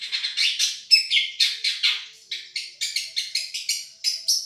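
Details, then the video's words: Long-tailed shrike, Madura type, in a song-tutoring recording called a champion voice: jerky series of harsh chips and short whistled notes, about two per second, varied in pitch. "Masteran | Suara Juara Nih!!! Cendet Madura"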